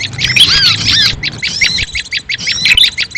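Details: Lure sound for catching small birds: several overlapping high chirps and curling squeaky notes in clustered bursts, dropping briefly then resuming, over a soft low hum.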